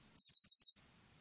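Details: Brief burst from a Japanese wagtail: five quick, high, twittering notes running together and lasting under a second, against silence.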